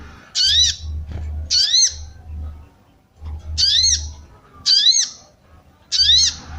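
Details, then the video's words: Female sooty-headed bulbul calling to arouse males and for luring wild birds: six quick bright chirps, some in close pairs, about a second apart, over a steady low humming background. "SOGON BETINA MANCING BIRAHI SOGON JANTAN"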